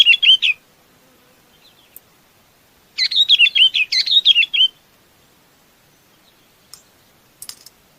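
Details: Chinese babax calling the flock: two bursts of chattering, warbled notes rising and falling, the longer one running nearly two seconds, with brief faint clicks between.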